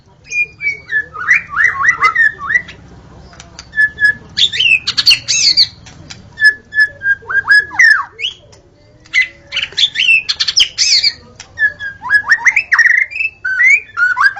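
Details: White-rumped shama singing in the forest, with clear whistled phrases, twisting slurred notes and bursts of high scratchy twitter, separated by brief quiet gaps.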